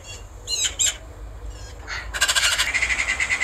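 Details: Eurasian magpie uttering a few squeaky, wavering single notes, then breaking into a steady rapid rattle of rasping chatter that continues to the end.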